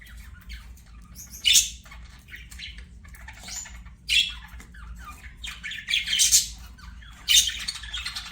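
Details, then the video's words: Budgerigars singing while playing: scattered harsh squawks and scratchy chirps in short bursts, with a steady low hum beneath. "BUDGIES SINGING PLAYING"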